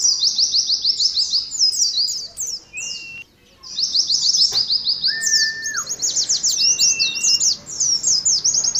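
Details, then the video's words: Oriental white-eyes competing in 'ngalas' style: vigorous runs of rapid high chirps with a short silent gap, a single click, and long smooth whistles at lower pitch scattered through. "TERAPI ADU NGALAS SAAT KOLONI PLECI"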